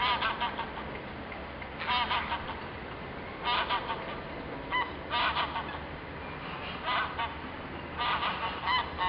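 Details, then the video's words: Ring-billed gull calling in Isabel La Católica park, Gijón, Asturias, February 2013; short bursts of harsh, nasal notes come roughly every one to two seconds over a constant background hiss. "GAVIOTA DE DELAWARE. (Larus delawarensis)"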